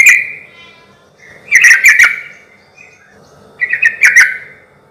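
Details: Lure song of a yellow-vented bulbul meant to provoke rival bulbuls to call back: three lively gurgling, chattering phrases spaced about two seconds apart, each with a few rapid notes.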